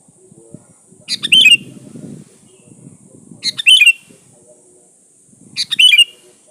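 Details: Sooty-headed bulbul lure song: three quick bubbly phrases about every two and a half seconds, each a couple of sharp notes then a warbling flourish; low rustling handling noise between phrases and a steady high hiss.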